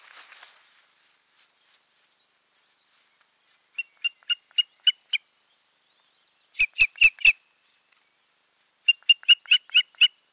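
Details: Osprey pair at the nest in Finland on 14 June 2019, breeding having failed; bursts of sharp, high, whistled chirps in short series of four to six, separated by silent gaps.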